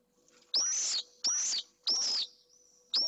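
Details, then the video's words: Pallid swift at a nest box in Jerez de la Frontera, Spain, with the first egg just laid, the male confronting an intruder; four loud, shrill, buzzy screams about half a second each, spaced roughly every 0.6 seconds. "¡DEFENSA CONTRA UN INTRUSO! - Vencejo pálido"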